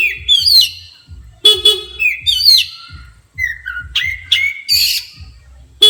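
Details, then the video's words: Agitated Oriental magpie-robin set off by a horn blast, delivering bursts of loud clear whistles, swooping slurs and harsh chattering notes in quick succession, while a low thumping music beat runs underneath. "Kacer emosi tingkat tinggi di klakson langsung emosi"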